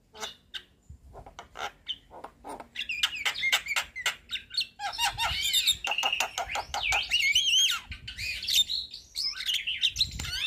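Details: Javan myna with white eyes, head bobbing, in a lively lure chatter: scattered harsh clicks build into a long, continuous mix of squawks, buzzy rasps and warbled, looping whistles.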